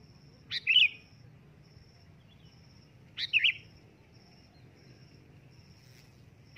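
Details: Repeated loud calls of a sooty-headed bulbul: short gurgling whistled phrases about every three seconds, with steady low hum and a faint intermittent high-pitched tone in the background.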